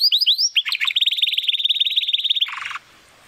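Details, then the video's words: Spanish Timbrado canary, a young bird still developing its full song, sings rising whistled slurs, then a fast even rattle of pulses and a short lower roll before stopping. "Canary Song - Spanish Timbrado Classico"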